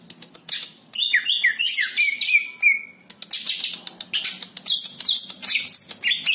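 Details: Greater green leafbird singing busily: dense chattering phrases, sliding whistled notes and a sustained steady whistle, switching quickly between mimicked-sounding snippets and sharp clicks throughout.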